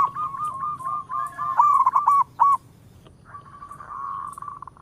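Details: Local zebra dove, or perkutut, singing: a rolling trill that builds into loud stuttered notes, a brief silence, then a softer continuous trill.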